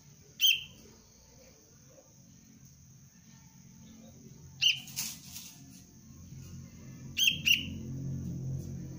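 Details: Juvenile sooty-headed bulbul, Cengkram line, in early lure-bird training: a single sharp chirp, then another several seconds later, then a quick double chirp, with a rustling burst and a steady low hum underneath.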